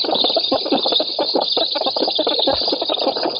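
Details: Black storks on an oak nest in Poland, filmed 7 August 2018 while competing for fish. A dense, steady high squeal with fast, irregular rasping pulses fills the whole short stretch.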